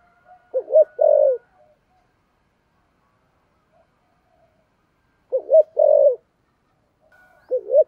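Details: Spotted dove, thổ sấm voice, thúc gù style: a stuttering pair of short notes leading into a full deep coo, then a long silence before the phrase returns twice.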